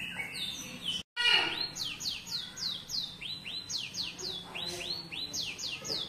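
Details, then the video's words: Cinereous tit trained with canary song, singing steadily: loud rising and falling chirped notes repeated in a brisk rhythm after a brief sharp cut near the start. "GELATIK BATU MEWAH GACOR ISIAN KENARI"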